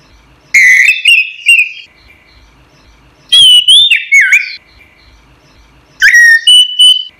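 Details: Orange-headed thrush singing loudly in a recording meant to train songbirds: three separate phrases, each a burst of bright whistles, with a downward-bending note in the middle phrase and a steady whistled note at the end of the last.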